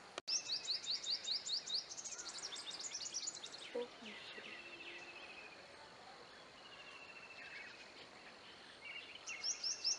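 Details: Brahminy starling in a village in Bihar, India, giving quick runs of sharp, high, upslurred chirps, about five a second, then a brief jumbled chatter; the chirp run returns at the end over steady background hiss.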